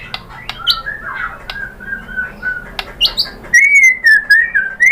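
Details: Murai batu or white-rumped shama lure song meant to coax other shamas into song: scattered soft whistles and sharp clicks at first, then a louder, sustained wavering whistled phrase.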